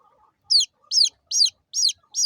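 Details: Small chicken chicks peeping: five sharp, high notes, each sweeping quickly downward, evenly spaced roughly every half second after a brief quiet start with a faint low murmur.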